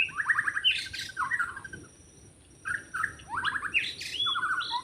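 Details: Forest white-rumped shama recorded while trapping: fast rattling trills and clear whistles in two bursts divided by a quiet pause, with a soft noisy background.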